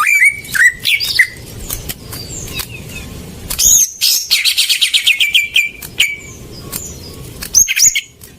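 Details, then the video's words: Greater green leafbird lure song for birds gone quiet: opening whistles and chips, then a dense buzzy cascade of rapidly repeated descending notes, trailing off into scattered high calls. "Pancingan burung cucak ijo macet"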